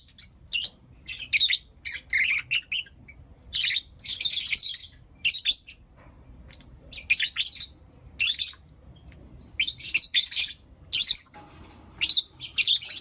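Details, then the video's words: Morning chirping and calls from Blue Opaline and Lutino Opaline lovebirds, delivered as repeated short bursts of sharp, high, buzzy chatter separated by clear silent gaps of roughly a second. "Lovebird Chirping Sounds and Call Sounds From Blue Opaline & Lutino Opaline"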